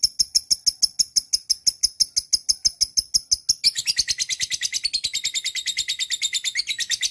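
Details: Lovebird singing a quick, regular train of piercing high chirps that shifts midway into a denser, buzzier, twittering chatter.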